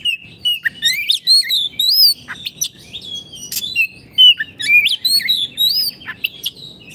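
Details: Oriental magpie-robin, a lively singer used as tutor song for training caged birds that have stopped singing; rapid varied whistled phrases, sliding up and down, with short buzzy notes and sharp chirps packed closely together, no background noise.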